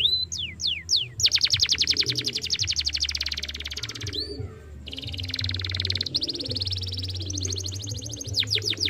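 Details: Canary song used as a lure to stimulate a young canary to sing: three sharp descending whistled slurs, then long fast buzzy trills, a brief upslurred note, and further rapid trill runs, with low hum beneath.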